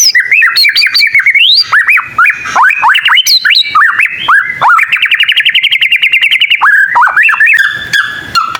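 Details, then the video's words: Young white-rumped shama learning its song, prompting other shamas to answer: loud, rich run of sweeping whistled notes and rapid chips, then a fast trilled stutter of repeated notes and a few closing rising whistles, recorded indoors. "Suara burung murai batu paling gacor bikin burung murai lain langsung nyaut"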